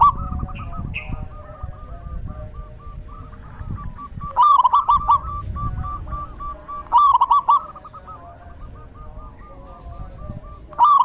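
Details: Zebra dove singing in the rainy season: loud bursts of rapid, bubbly cooing notes repeated every few seconds, softer distant dove coos continuing between them over a low rumbling background.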